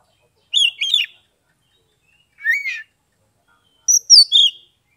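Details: Ngeplong-style Oriental magpie-robin song from Kebumen, Central Java, played to prompt silent birds to sing: three short, bright whistled phrases, each with a few rising and falling slurred notes, spaced by quiet gaps.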